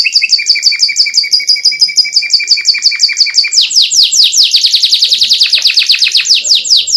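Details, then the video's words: Canary song from a tutor recording full of fills and luxurious twists, meant to rile other canaries. A steady, fast high trill shifts into quicker, louder downward-sweeping notes. "masteran kenari - canary full isian, cengkok mewah ! sekali tembak bikin kenari lain emosi"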